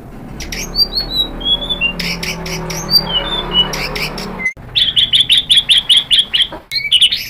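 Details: Lure song of a white-rumped shama, meant to provoke rival shamas into answering: scattered clear whistled slurs and chips at first, then a sudden burst of quick repeated metallic notes and a closing twitter.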